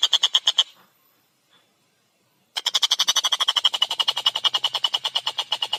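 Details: Collared kingfisher singing actively, clear and fast: a short run of harsh notes, a two-second pause, then a long, rapid rattle of repeated kek notes.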